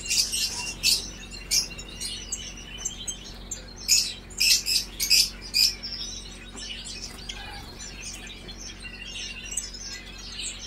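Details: A European goldfinch (Carduelis carduelis) sings, twittering in quick bursts of high, tinkling, buzzy notes, about two a second, over a low steady indoor hum.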